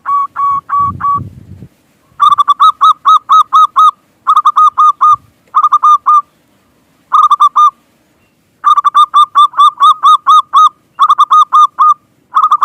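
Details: Indonesian local zebra dove used as a lure so birds start cooing: repeated phrases of rapid, bright hooked notes, some short and some long runs, separated by brief silences, with a low thump early on.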